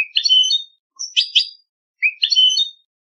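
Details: Goldfinch song recorded for a singing contest: buzzy twittering phrases interleaved with doubled bright chirps, three bursts in quick succession, clean recording.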